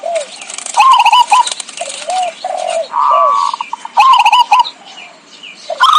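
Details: Zebra dove calling as a lure for trapping: choppy rolling coos interleaved with soft, downslurred low notes, then a smooth held coo and another rapid stuttering phrase, with a faint background hiss.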